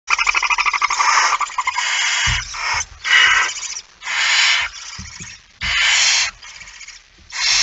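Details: Barn owl at night, 17 September 2019 at 23:55, as a male arrives with a mouse: a long series of harsh, broadband hissing screeches, some with a rapid stuttering texture, each lasting about half a second, with soft thumps and scrapes between them.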